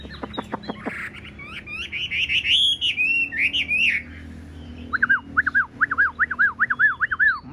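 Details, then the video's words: Caged tame Chinese hwamei with blue eyes. After quick sharp ticks comes a rich, rolling warble, then a fast repeated series of bouncing whistled notes. "Bộ to mặt đẹp, mắt xanh, chim thuần sách lồng vẫn hót | Họat Họa Mi"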